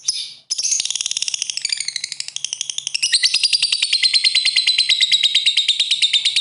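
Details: Lovebird giving a calling ngekek in the ngetik style, meant to make rival birds start singing; a long, fast, high, buzzy chatter of rapid repeated notes, about three per second, growing louder and steadier halfway through after a brief opening burst.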